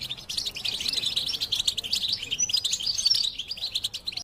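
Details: A dense burst of high, tinkling European goldfinch twittering, steady and unbroken for about four seconds over a quiet background.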